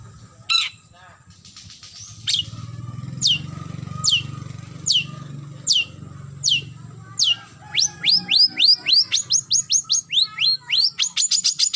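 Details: Long-tailed shrike calling a rival: a slow series of sharp, high downslurred notes about once a second, breaking into a faster run of rising, whistled upslurs near the end, over a low background hum.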